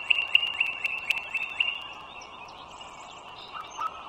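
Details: Wild bald eagle at the nest beside a toll road in northern Virginia, morning of 21 March 2023: a quick run of high, thin piping notes, about four per second, fading after two seconds over a steady low hum.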